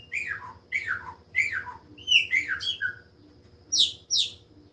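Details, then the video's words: Song of a chopi blackbird: three descending whistled slurs, then a tumbling cluster of higher notes and two sharp high chips after a short gap, over a soft steady background hum. "LINDO CANTO DE PÁSSARO PRETO OU GRAÚNA/CLAÚNA"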